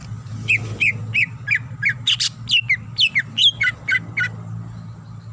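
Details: Greater green leafbird female calling the male: a lively series of squawky chirps and short whistles, irregularly spaced, above a constant low hum.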